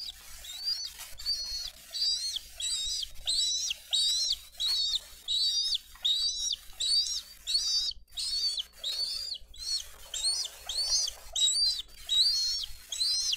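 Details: Bald eagles at a live-streamed nest in Dade County on 22 April 2023, parents bringing in fish and feeding two eaglets: high, thin whistled notes rising then falling, in quick chattering series of about one and a half per second, with a faint low hum.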